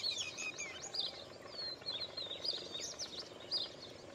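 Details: Indian pied myna, Gracupica contra, giving dense overlapping chirps and liquid whistled notes, quick rising and falling slurs tumbling together like several birds calling at once, with a steady low hum beneath.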